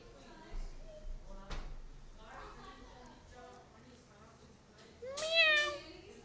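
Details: Pet tame male plum-headed parakeet (Psittacula cyanocephala), 2 years old, talking in Urdu/Hindi, saying words like "Mithu", in short speech-like phrases that end in a loud, rising, nasal cry.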